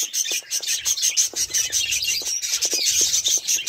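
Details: Group of budgerigars with a steady, scratchy, high-pitched chatter, with buzzy notes repeated rapidly and faint low clicks underneath.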